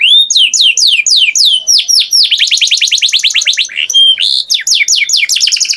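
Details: Singing canary giving rapid series of downward-sweeping whistles, repeated several per second, flowing into dense trills and a short clear note before more sweeps.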